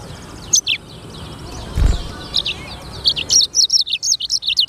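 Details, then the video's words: Black-throated canary (sanger) song: after a few scattered high chirps and a dull thump, a rapid sequence of bright, high, downslurred notes builds steadily and continues to the end over light background hiss. "BURUNG FINCH EDEL SANGER / BLACKTHROAT Suara Gacor"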